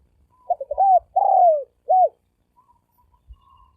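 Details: Spotted dove cooing in the thổ sấm đồng style, played as a lure to draw males and females: one phrase of quick stuttering low notes, a long drawn-out falling coo, then a short final note, with faint low thumps.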